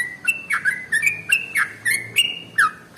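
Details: Sooty-headed bulbul, called trucukan, in a long ropel song used as a lure for other birds. Quieter, slower series of whistled notes held briefly, alternating with sharp downward-slurred chirps, with faint low rumble behind.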